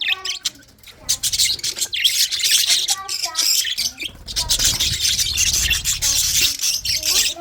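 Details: Colony-bred budgerigars chattering as a flock: overlapping shrill chirps and squeaky warbling notes run almost without pause, with a few lower tonal notes underneath.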